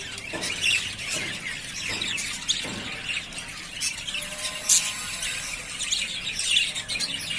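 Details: Ready-to-breed yellowface spangle budgerigars, three pairs, produce squealing chirps and warbles. Several downward-sliding notes stand out in the first three seconds.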